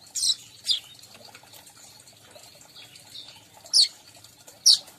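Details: Weaver calling, used as a lure to draw in weavers of every type: a few harsh, buzzy, high-pitched bursts, two close together at the start and two more after a quiet gap of about three seconds.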